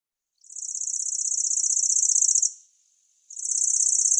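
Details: Grasshopper warbler (Locustella) giving a high, dry, insect-like reeling trill of about two seconds. It fades, pauses briefly, then starts again just as loudly.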